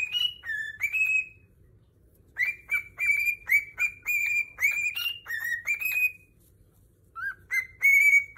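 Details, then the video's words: Happy cockatiels singing a whistled song: clear, steady notes repeated at a brisk pace, some held flat and others stepping up or down, in two runs separated by a short pause, over a faint low hum. "Calopsitas cantando muito feliz"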